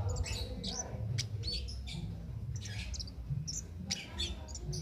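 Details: High, squeaky whistled notes and brief twitters from a cit keres singing continuously for training other songbirds, set against a constant low droning hum.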